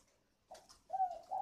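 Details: Spotted dove kept as a decoy bird, a young wild-caught bird only recently tamed, under a year old; short low cooing notes, a brief hoot followed by a longer level coo, indoors.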